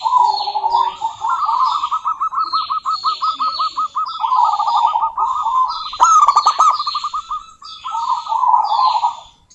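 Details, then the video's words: Local zebra dove, a female calling a rival: long runs of evenly pulsed rolling coos with one loud crisp burst midway, accompanied by repeated high descending notes from other birds. "Suara Burung Perkutut Lokal betina gacor memanggil lawan"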